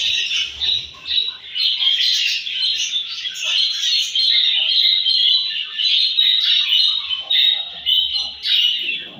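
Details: Morning feeding time among budgerigars, a loud unbroken mass of chirps, whistled notes and scratchy warbles from many birds at once, steady from start to finish.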